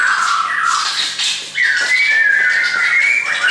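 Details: Caged shamas, several birds brought along by a friend, singing indoors: long sustained whistled phrases held near one pitch, sliding slightly upward after a brief pause, with overlapping fainter notes above.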